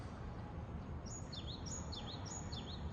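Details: Japanese tit singing in Japan: a short burst of about four quick repeated phrases, each a high thin note dropping into a lower swooping note, over a steady low rumble of background noise.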